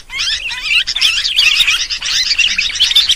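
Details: Noisy sooty-headed bulbul calling, played as a lure to gather birds. Rising, liquid chirps come first, then a dense run of wavering, bubbly notes that blend into a continuous chatter.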